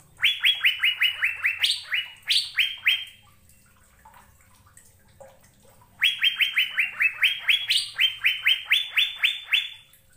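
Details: Asian fairy-bluebird (cucak biru) in full song: two bursts of rapid rising whistles, each a run of about ten clipped upslurs with one or two higher accents, separated by a few seconds of near silence.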